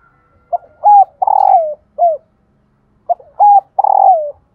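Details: Female spotted dove call used to encourage cooing by captive decoy males: two matching phrases, each a soft lead note, a level coo, a long quavering coo sliding down, and a falling closing coo, separated by a brief silence.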